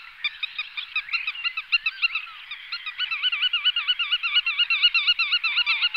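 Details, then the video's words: Black-tailed godwits calling in a dense flock chorus, many rapid wavy nasal notes overlapping continuously, growing louder and busier through the clip. "Black-tailed Godwit / Limosa limosa"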